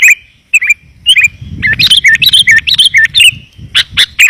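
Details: Sooty-headed bulbul lure call, clear and dense, to draw wild birds down: looping whistled notes and chirps speeding into a busy bubbling run, with a low rumbling noise underneath in the middle.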